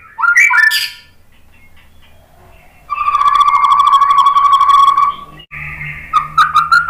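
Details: Lure song of a white-rumped shama meant to make rival shamas sing: a few quick rising whistles, a quiet gap, then a long buzzy trill held at one pitch before sharper whistled notes return.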